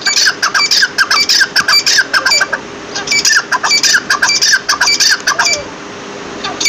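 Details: Partridge calling loudly: rapid, harsh repeated notes with ringing overtones in steady quick bursts, about two per second, pausing briefly midway before resuming the same clipped rhythm.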